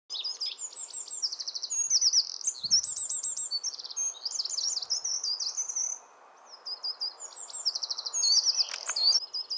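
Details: Eurasian wren, very territorial, in a small mountain nook with rocks sings a loud, high, rapid outpouring of trills and twitters, pausing briefly before starting again, over a steady rushing background hiss.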